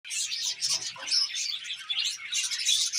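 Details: Budgerigars chirping in a dense, continuous chatter of high, scratchy twitters and warbles, with several birds calling over one another without pause.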